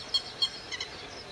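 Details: Alarm of a northern lapwing making low attacks on a grey heron and ducks that entered its territory, recorded at 08:20 on 31 May 2011. Two short, piercing high notes come in quick succession, followed by fainter calling against a hissy background.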